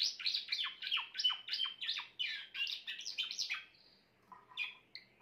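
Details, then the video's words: Grey Timbrado canary singing a rapid run of high, bright, descending chirps and trills at roughly three per second, then a pause and a few scattered thinner notes. "meilleur chant canari timbrado l chant d'un canari timbrado gris"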